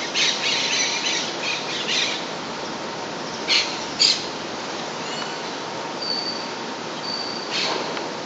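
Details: Monk parakeet, an introduced colonial nester in Puerto Rico, giving harsh, screechy squawks in short bursts, some clustered and some seconds apart, over a steady hiss, with faint thin whistles from another bird.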